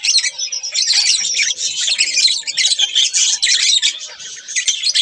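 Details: Continuous busy chatter from a pair of pet budgerigars, harsh chirps and thin whistles blending into one unbroken, scratchy warble.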